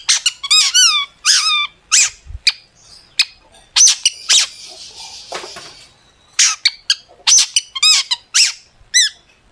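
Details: Singing long-tailed shrike, used as a lure for other shrikes: repeated arched whistled notes in quick sets, scratchy harsh bursts and sharp clicks, varied and fast, with a short pause midway.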